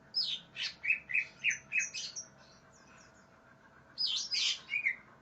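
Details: Greater green leafbird singing aggressively, seeking an opponent: a fast run of sharp, high chirped and slurred notes, a brief pause, then a loud burst of squeaky, rising and falling notes. A faint steady hum sits underneath.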